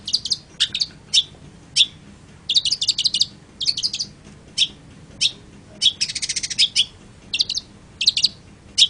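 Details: Long-tailed shrike singing a jerky run of short chirps and scratchy notes, some delivered in quick rattling bursts, with brief pauses between phrases.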